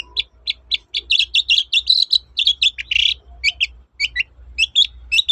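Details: Busy toet-toet singing of a long-tailed shrike, intended to prompt silent shrikes to sing again: fast strings of short chirps and whistles, a harsh rasp midway, and scattered sharp notes, with a low hum underneath.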